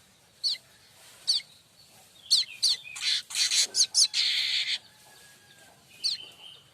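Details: Streaked weaver tutor song for training magpie-robins and shamas: spaced high chip notes that build into a fast run of buzzy, wheezing bursts, then single chips again.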